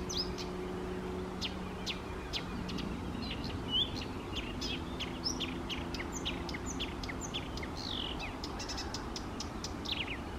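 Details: {'text': 'Eurasian reed warbler at small lakes, morning of 28 May 2024, delivering a long dense chatter of clicks, sharp ticks and short slurred notes, with a low steady hum underneath.'}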